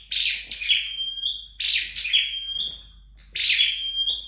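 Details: Flowerpecker in home training: three high, buzzy chirp clusters, each drawn out into a long steady whistle, separated by brief gaps.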